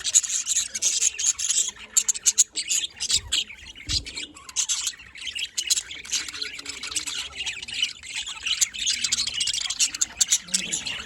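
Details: Several budgerigars chattering in the afternoon, Larkana, Sindh: nonstop high scratchy twittering and squawks, a few low thumps, and faint low voices in the background.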